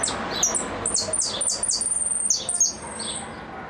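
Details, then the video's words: Goldfinch repique song: quick runs of sharp, high, downward-sweeping chips and twitters that tumble in close succession, then fade near the end. "Blanco de repique"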